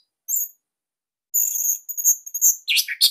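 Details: Song of a Bali orange-headed thrush kept as tutoring material for other birds, called unique, tight and loud: a thin high whistle, then a sustained high sibilant trill running into louder harsh scratchy notes at the end.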